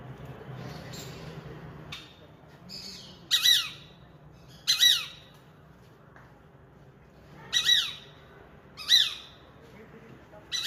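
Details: Peregrine falcon sounding angry, uttering short, strident rasping squawks in irregular bursts, some in close pairs and others separated by long pauses, with a low hum beneath.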